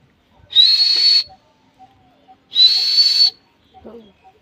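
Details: Pet talking parrot, feeding on guava, repeats a shrill, steady whistled screech twice, about two seconds apart, each lasting under a second, followed by a soft low murmur.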